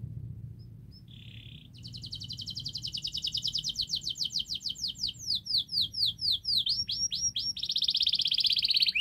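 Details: Masteran canary song intended to start lazy canaries singing; after a brief buzz, a long accelerating trill builds into looping whistled sweeps and a buzzy rolled finish.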